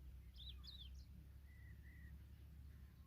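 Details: African familiar chat, a mother looking after her chicks: quick high zigzag chirps, then two level whistled notes in the middle, over a steady low hum.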